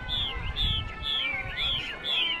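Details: A caged male songbird at a northwestern Vietnam highland market sings bright, clear whistled phrases about every half second; a female may also be present hissing; market chatter and low rumble behind.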